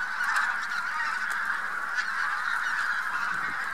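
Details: Vast flock of migrating Bean Geese joined by some White-fronted Geese, central Poland, early March 2018; constant dense honking from many birds, individual nasal calls barely separable within the chorus.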